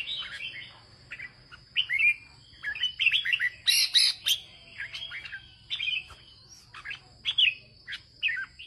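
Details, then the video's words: Red-whiskered bulbul kept by a farmer, singing in the northern style: rapid sequences of clear warbled and slurred whistles, some sharp upward flicks, delivered in dense runs, over a continuous faint high hum. "Chào mào của ông nông dân hót ché đẳng cấp miền bắc"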